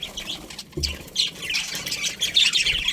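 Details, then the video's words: Budgerigars in a colony chirping: busy high twittering and chatter rising toward the end, with a soft low thump and wing flutter near the first second. "Cute Budgies Chirping Sounds"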